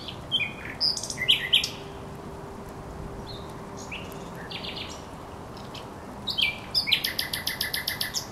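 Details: At the Żerań Canal on 24 April 2022, a thrush nightingale sings varied whistles and buzzy bursts, pauses with scattered soft notes, then ends in a long, rapid, hammering series of harsh repeated clicks.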